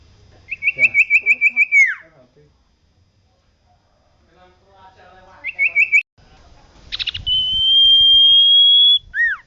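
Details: Common iora singing persistently, recorded for training caged birds: a quick run of whistled notes ending in a falling slur, a short second burst, then a sustained level whistle held about two seconds before a brief dropping note.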